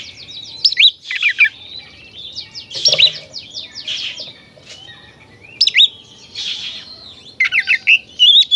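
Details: Oriental magpie-robin in full song to rouse other magpie-robins: varied whistled trills, sharp upward-swooping notes and buzzy chatter in irregular bursts, with short quiet stretches between phrases.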